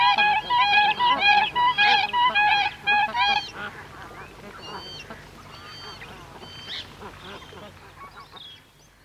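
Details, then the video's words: Adult and young Siberian cranes give loud, musical, rising and falling whistled calls in rapid bursts, with the honking of bar-headed geese in the background. "Siberian Crane. Calls Of Adults And Young, With Calls Of Bar-Headed Geese In B"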